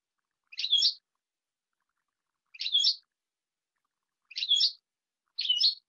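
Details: Male European goldfinch in a cage, in cool, low-pressure, overcast and nearly rainy weather: short bright twittering bursts, four in six seconds, separated by silence.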